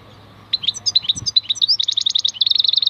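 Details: Wild European goldfinch song of quick chirps and rising twittered notes speeding into a fast, even trill, with a soft low thump and faint hum.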